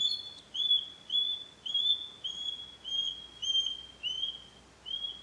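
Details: Osprey (Pandion haliaetus) recorded in the wild, giving a steady series of about nine clear, high, whistled notes, each slightly slurred downward and repeated roughly every half second over a quiet background.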